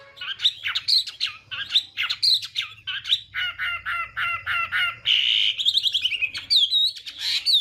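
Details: Chinese hwamei in morning voice training to provoke singing: harsh scratchy phrases, a run of evenly repeated downslurred notes, then a long clear whistled trill and looping whistles.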